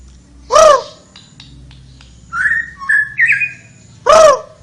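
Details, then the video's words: Actively singing flowerpecker giving short whistled notes, rising and wavering, in a brief phrase, framed by two loud harsh stacked calls at the start and end. "suara burung tledekan gacor"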